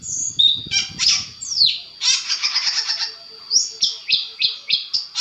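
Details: Long-tailed shrike master recording played to provoke other shrikes into answering: a varied mix of high whistled slurs, harsh buzzy bursts and a steady series of sharp chirped notes repeated about every third of a second.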